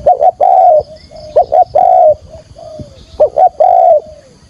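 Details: Decoy spotted dove cooing to draw wild doves toward a trap. Three phrases, each a quick double hoot followed by a longer, drawn-out coo that slides downward, separated by short pauses.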